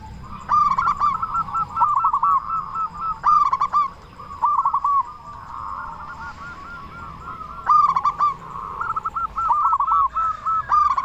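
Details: Local Zebra dove with a big voice, sung to excite other doves and speed up their calling: layered low coos in trilled phrases, punctuated by loud clipped note bursts repeated several times over eleven seconds.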